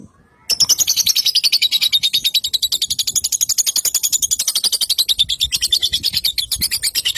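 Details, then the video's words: Lovebird singing a long, unbroken, rapid chatter of high, buzzy pulses, steady and fast throughout after a brief silent start. "aksi suara burung Lovebird"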